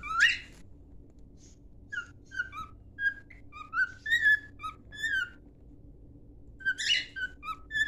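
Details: Song of a pet cockatiel used to train: a harsh squawk, a run of short whistled notes rising and falling, a gap, then another squawk and more whistles over low hum.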